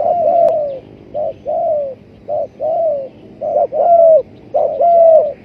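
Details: Spotted dove cooing as a trapping lure: a steady series of mellow, low coos in paired phrases, a brief note then a longer falling one, about five phrases in a row, with thin high whistles over the later ones.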